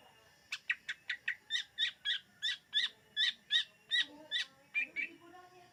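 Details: Greater green leafbird in a luring recording: a run of sharp, loud chirped notes repeated about three times a second, each dropping and rising in pitch, with a softer, lower whistle near the end.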